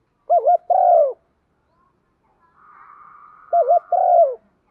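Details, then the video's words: Spotted dove used as a decoy, calling with a single-ending thúc vấy phrase twice: a bouncing double note then a long descending coo. A faint steady higher tone runs between the two phrases. "chim cu gáy mồi cườm thòng thúc vấy gáy gọi một hậu giọng hấp dẫn"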